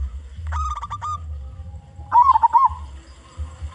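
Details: Local zebra dove song used to attract other doves: a brief series of flat coo notes, then a rippling, wavering coo trill, all over a continuous low rumble.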